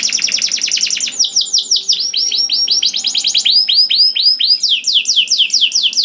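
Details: Canary singing to prompt other canaries into song, a lively fast run of repeated arched whistled notes, roughly several per second, shifting pitch in sections with brief buzzy trills at the start.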